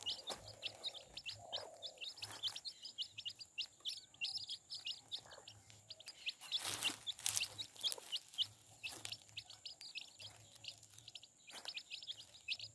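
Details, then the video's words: Chicks peep without pause alongside their mother hen. The thin, high, falling peeps run throughout, the hen gives soft low clucks early on, and a brief scratchy rustle sounds midway. "Baby hen sound | Chicks chirping sounds"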